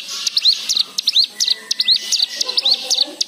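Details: White-eye song played to stimulate other birds to sing, varied fill-ins: sharp high clicks alternating with rising curved whistles, about three notes per second, faint lower chatter behind.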